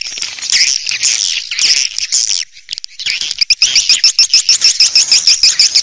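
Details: Swiftlet attraction sound for indoor and outdoor speakers: bursts of thin, high chattering, a short pause, then a fast regular train of sharp clicking chirps, about three per second.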